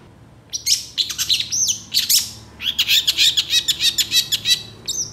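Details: Long-tailed shrike singing energetically, described as reacting quickly to other shrikes, with a song full of fill phrases. Fast, varied high chirps, whistled slurs and buzzy notes, then a dense run of rapid repeated notes from about 2.6 seconds.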